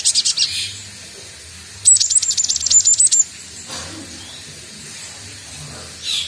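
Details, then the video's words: Cinereous Tit (gelatik batu), a young bird still learning to sing, delivers a fast burst of very high, sharp repeated chips lasting just over a second, with brief rustling chirps before and after against quiet hum. "Burung Gelatik Batu|Glatik Watu | belajar bunyi"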